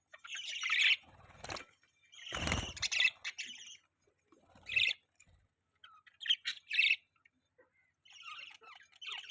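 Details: Pet budgerigars give separate bursts of warbled chirping and grating squawky notes with short pauses between them. Two louder harsh outbursts come near the start.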